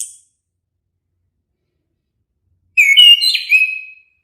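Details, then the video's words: After silence, an orange-headed thrush delivers a single liquid whistled phrase of about a second, with rising and falling slurred notes and a trailing fading tail. "suara merdu burung anis kembang"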